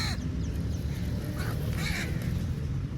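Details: Crow calling for food: short, harsh, hoarse caws near the one-and-a-half and two-second marks, set against a constant heavy low rumble of outdoor background noise.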